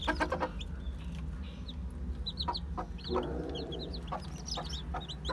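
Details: One-day-old Aseel, Heera, Java and Muska chicks: a busy chorus of high, brief peeps, thickening in the second half, set against a constant low rumbling hum and occasional clicking taps.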